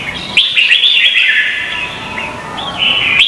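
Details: Vietnamese red-whiskered bulbuls in a singing duel, used to train and stimulate birds: a rapid, continuous, slurred run of sweet whistles and chirps, mostly high and fluid, with a fresh phrase starting near the end.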